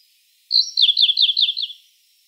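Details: Siberian blue robin (Luscinia cyane) singing: a single loud, high phrase of about six quick, bright, downslurred notes repeated in a rapid run lasting just over a second, then silence.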